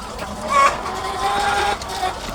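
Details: Egg-laying hens by the thousands on a farm, a dense layered chorus of nasal, harmonic clucks and drawn-out squawks overlapping one another, with a steady hum beneath.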